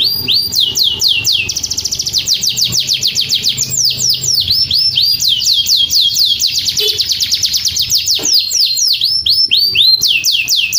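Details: Canary singing a fast, continuous song of high, sweeping trilled notes repeated in rapid runs, with bright rolling phrases that shift pitch across the whole passage, faint background hum.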